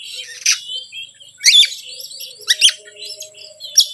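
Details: Oriental magpie-robin song used as a lure to provoke other birds: short bursts of sharp, buzzy and twittering notes roughly once a second, separated by pauses, with a faint low whistle between phrases.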